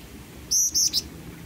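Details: Black-winged flycatcher-shrike (jingjing batu) in full song, kept as a tutor bird for other songbirds: three high, thin whistled notes, two level ones then a short clipped note, over faint background hiss.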